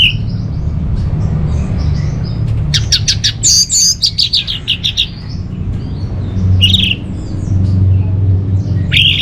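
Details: Lure and master song of the Orange-headed thrush from North Bali, kept as a cage bird: a dense burst of quick clipped notes and short trills in the middle, then scattered high whistles, with a constant low droning hum.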